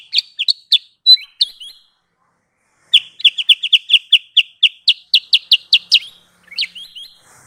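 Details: Sooty-headed bulbul song played as a trapping lure: clear, bright whistled phrases, a brief silence, then a fast string of about fifteen crisp, slurred notes, ending with a few softer warbles.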